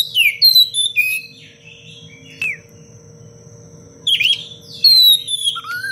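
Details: Oriental magpie-robin singing in a tight, sharp 'cengkok rapat pedas' style, used as a master recording to train other birds: bursts of high whistled and chattering notes with pauses between them, over a steady low hum.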